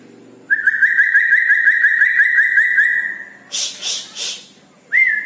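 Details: At night, a red-breasted parakeet holds one long whistled note pulsing rapidly in even beats for about three seconds, then gives a few breathy bursts and a final rising whistle.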